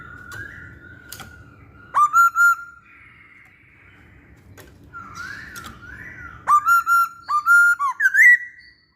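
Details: Masked laughingthrush singing as a lure: soft wavering whistles broken by loud clusters of ringing notes that snap upward at the start, ending in a rising slurred whistle, in a quiet setting.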